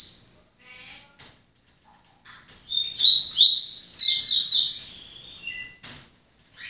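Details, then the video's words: Song of a yellow-bellied seedeater (papa-capim) getting into order: soft scattered chirps lead into a loud, rapid twittering phrase of sliding high notes, then a few thin whistles and chirps. "Papa capim El TANK entrando em ordem"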